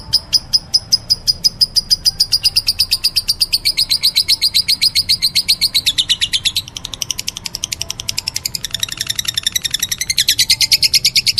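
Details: Lovebird giving a long run of shrill, high chirps, about five per second, sharp and evenly paced, shifting slightly in pitch midway and speeding near the end; no other clear sounds.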